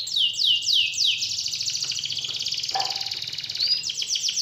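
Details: Canary singing, played to stir a lazy canary into full song: three bright descending whistled sweeps open into a long, fast rolling trill held steady to the end, with a faint low sound partway through.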